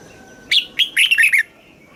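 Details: One song phrase of a caged red-whiskered bulbul from Thailand in the southern master style, used to excite birds and train youngsters: a loud whistle, a short note, then a rapid warbled cluster descending slightly.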